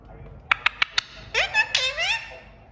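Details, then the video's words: Rose-ringed parakeet (Indian ringneck), a talking pet in a quiet room, gives four quick, sharp clicks, then two high, nasal, speech-like phrases sliding up and down in pitch, saying "I love you" and playing peekaboo. "Smart Parrot Saying I love you | Playing Peekaboo | Ringneck Making Sound"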